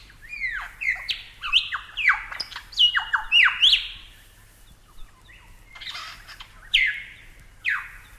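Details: Superb Lyrebird giving a loud run of ringing, downward-sweeping whistled notes, each sharply slurred, in quick bursts, then a few separate rising and falling whistles after a short pause; quiet background.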